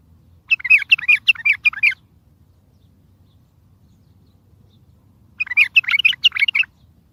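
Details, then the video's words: Bulbul song used to make mute birds sing and to attract and trap other bulbuls: two longer runs of fast, tumbling chirps, each about one and a half seconds, separated by a quiet gap. "اصوات بلابل تغريد بلبل قوي ينطق الاخرس كذلك للصيد البلابل الاخرى يجيب البلابل البعيده"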